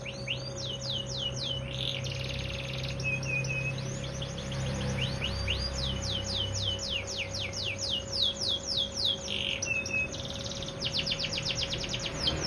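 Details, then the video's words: Bottle-green AF canary singing before its sunning session, a bird that delivers 45-second songs: quick series of steep descending whistles and dense trills, brief rough buzzy bursts between phrases, continuous low electrical hum and faint low rumble beneath. "Af ijo botol durasi 45 detik blm kena jemur"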